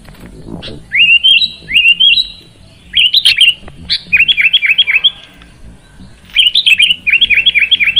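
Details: Sooty-headed bulbul (kutilang) song for encouraging a quiet bird to sing; rising slurred whistles, then quick series of repeated chirps, with a faint low hum underneath.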